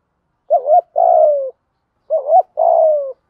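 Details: Spotted dove cooing, used to train decoy birds: two identical phrases about two seconds apart, each a wavering double hoot followed by a longer low coo that drifts downward.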